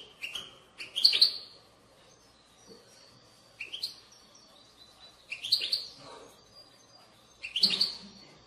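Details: European goldfinch giving short, bright, high, liquid tinkling twitters in bursts about every two seconds, with quiet between, played to stimulate goldfinches to sing.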